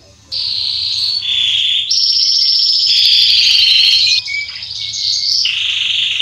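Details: A male Belgian Salsa canary sings a loud, continuous song of rapid trills and rolling phrases that switch pitch every second or two.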